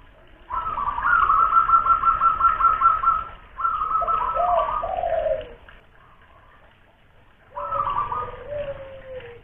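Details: ['Local big-voiced spotted dove from Kuningan, West Java, used to lure: a long quavering series of rapid pulsed notes, then lower drawn-out coos after a pause.']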